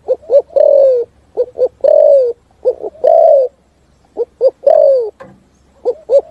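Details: A spotted dove's full thúc gù song echoing in forest: paired short coos leading into a sustained descending coo, repeated steadily about every second and a half, loud and clear.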